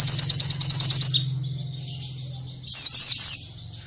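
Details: High, rapid trill of an Oriental white-eye lasting about a second, then a pause and a short cluster of twisting high whistled notes.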